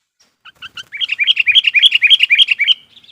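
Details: Sooty-headed bulbul singing as a lure for wild bulbuls: a few doubled chirps lead into a fast, even, bubbly run of alternating high and low warbled notes.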